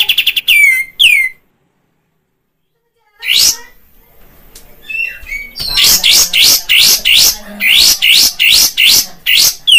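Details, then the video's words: Kapas tembak bulbul lure sound, used to provoke caged birds into puffing up and singing. A few sharp falling whistles, a pause of near silence, a rising note and soft chatter, then a steady run of loud, rapid, rhythmic buzzy notes. "Kapas tembak bakalan wajib di pancing suara kaps tembak ini.agar cepat gacor."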